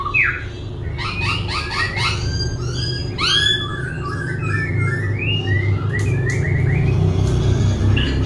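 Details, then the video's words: Singing and dancing laughingthrush that keeps changing its voice: upward-sweeping whistles, stacked chirps and clear downslurred notes in quick irregular bursts, over low rumbling noise. "Khướu vừa hót vừa múa , Đảo giọng liên tục"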